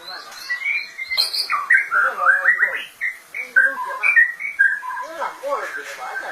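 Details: Varied, rich song from a white-rumped shama: tumbling warbled phrases, quick rising and falling whistles and chattering notes packed densely together with few pauses.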